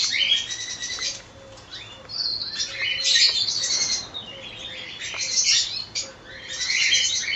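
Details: Many cockatiels of a colony calling almost continuously: shrill chirps, rising whistles and raspy notes layered together, dipping briefly around mid-clip before building again.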